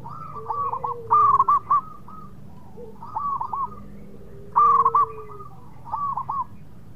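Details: Actively singing local zebra dove from Indonesia, played as a lure to make rivals reply fast: two bouts of bubbling cooed notes, each opening softly, then a loud rolling burst and a quieter closing phrase, over a faint low drawn-out tone.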